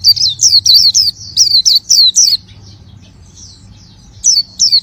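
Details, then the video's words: Oriental white-eye singing vigorously: bright, high chirped notes, each sliding down, repeated in quick bursts, then a short near-silent pause before two more chirps. "Suara burung pleci gacor"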